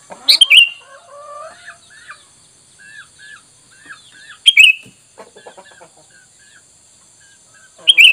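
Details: Sooty-headed bulbul call used as a lure to make wild bulbuls answer. Loud, sharp, bright chirps come in bursts about every four seconds. Softer, lower whistled notes in short repeated pairs fill the gaps between the bursts.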